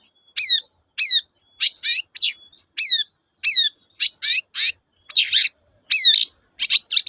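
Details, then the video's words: Long-tailed shrike, a lure recording meant to prompt reluctant shrikes to sing: sharp falling whistled notes repeated about twice a second, mixed with harsh buzzy rasps in a lively, varied, steady series. "BURUNG CENDET GACOR TOET-TOET, memancing cendet macet kembali gaco"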